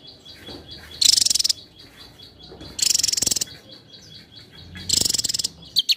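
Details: Javan tesia singing in high, rapid stuttering trills of about half a second each, roughly every two seconds, over a steady background of thin repeated high notes; a recording meant for training competition birds.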